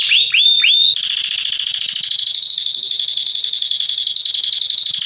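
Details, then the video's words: Song of a Salsa Belgian canary, recommended for teaching chicks to sing: a few rising upslurred whistles, then a sustained rolling trill held for several seconds. "Canário Belga Salsa Cantando Estourado 2"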